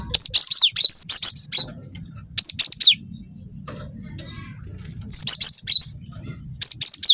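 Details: Young cinereous tit in long rolling song: rapid clusters of shrill, high whistled notes and falling slurs, grouped in bursts with short pauses, faint low hum behind.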